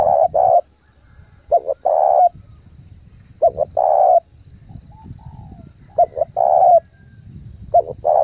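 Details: Lure spotted dove giving rapid, forceful cooing meant to excite decoy birds: five phrases of clipped double notes each followed by a sustained low coo, spaced under two seconds apart, over faint low background noise.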